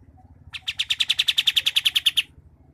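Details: Sumatran sooty-headed bulbul from Merangin, Jambi, delivering its 'ngerol rapat' tight roll: roughly seventeen clear, high, evenly repeated chip notes packed into under two seconds, against a quiet background.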